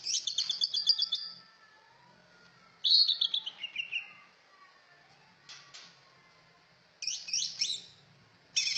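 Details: High, rapid chattering bursts from a cucak ijo, separated by quiet spells, including a falling, twittering phrase and sharp clicking notes.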